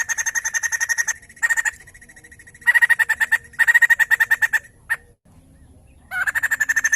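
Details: White-crested laughingthrush in full, lively song, played to stimulate other laughingthrushes to sing: bursts of fast, even rattling pulses, some long and some short, broken by brief pauses.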